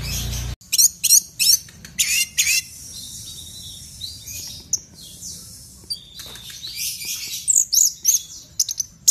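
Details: Orange-headed thrush, a loud-voiced fighter bird kept by bird lovers, singing in the frenzied 'teler' style used to spur other birds to sing: rapid bursts of high, sharp chirps and buzzy notes, then a thin sustained trill and more scattered chirps.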